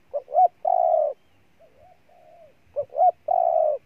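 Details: Spotted dove, Ninh Thuận, Vietnam: a phrase of two quick notes and a long low coo, then soft murmured coos, then the full phrase again.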